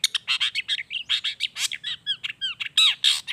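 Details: Long-tailed shrike song used as a lure to make shrikes sing: a rapid, varied medley of harsh notes and whistled chirps, with curved rising and falling whistles mixed among scratchy bursts, almost without pause.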